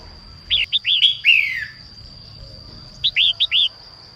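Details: Female red-whiskered bulbul sings in the morning to stimulate males: a fast run of looping chirps ending in a long falling warble, then after a pause four quick bright notes, with a steady high whine.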